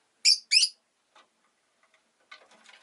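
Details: Rosy-faced lovebird chirping: two loud, harsh, buzzy chirps in quick succession, followed by a few faint soft chirps and rustling after a short pause.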